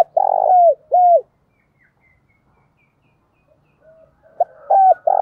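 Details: Spotted dove kept as a decoy, cooing to lure wild doves: a loud rough coo with a falling tail, then a second falling coo, a quiet pause, and the phrase starting again with a clipped note and two more coos.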